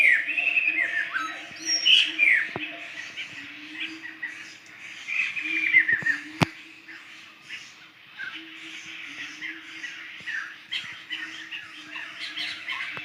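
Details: Laughingthrush flock in the forest of Sumatra, wild. Harsh squawking and chattering calls with some whistled notes come in bursts, loudest around two and six seconds. A steady low hum runs underneath throughout, with occasional sharp clicks.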